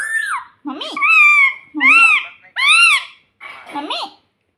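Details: Talking pet parrot in a small room saying "mummy": four or five loud, nasal, arching syllables with bright upper harmonics, each about half a second long, with a faint lower voice in the background.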